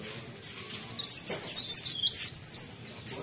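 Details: Busy, continuous high twittering from a mountain leaf warbler, quick slurred and trilled notes tumbling together for about three seconds.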